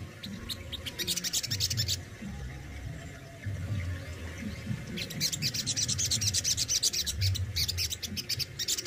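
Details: Crimson Sunbird (sogon) kept in captivity in Indonesia, singing besetan style: two bursts of rapid, scratchy, very high chattering notes separated by a pause, with a constant low hum underneath.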